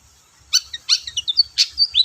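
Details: Long-tailed shrike singing, played as a lure to get quiet shrikes singing: a quick burst of high chirps and short whistled slurs after half a second of silence, nine or so notes in under two seconds.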